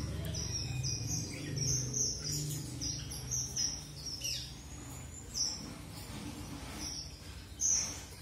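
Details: Red avadavat, or strawberry finch: thin, high whistled notes and short buzzy bursts in a broken series, with one longer level note near the middle, over a steady low hum.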